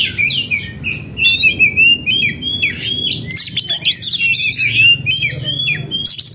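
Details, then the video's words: An agitated oriental magpie-robin in breeding condition sings continuously, mixing sweet rising and falling whistles with quick high chirps and scratchy notes, nearly without pause, over a faint background hum. "burung kacer jadi birahi dan emosi"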